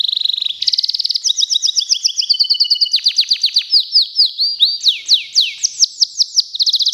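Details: Local canary prepared for a singing contest sings a long, unbroken high song: fast buzzy trills that shift into rising and falling whistled sweeps, repeated about four times a second, then back to a rapid trill.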